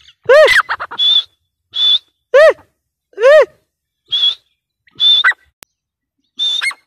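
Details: Grey francolin (teetar) during breeding season: loud high whistled notes alternating with sharp arched, harmonic-rich squawky calls, in an irregular series with brief pauses.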